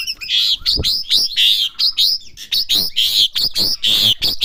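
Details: Asian pied starling (jalak suren) kept at home, practising its song: a steady string of loud, harsh, buzzy chirps, each about a quarter-second long, repeated in quick succession.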